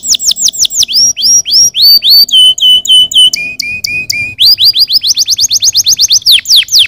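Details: Canary singing to stimulate other birds: sweeping whistled notes shift through several tours, including flat piping notes and a lower steady series, then a fast run of rising-falling whistles.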